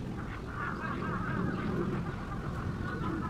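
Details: Spot-billed duck recorded July–December 2023 at the Kurome River or Sanpoji Pond, Japan, giving rapid, irregular nasal quacks in quick succession against a constant low-pitched murmur of background noise.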